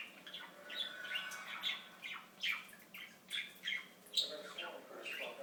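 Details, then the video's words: Pet talking budgie chattering in short bursts of scratchy, high chirps and clicks, roughly every second, with brief warbled speech-like notes between. "Torres The Talking Budgie"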